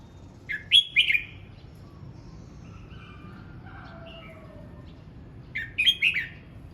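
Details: A red-whiskered bulbul rehearsing its voice sings a sharp warbled phrase. Soft, lower wavering notes follow, then another quick chirping burst.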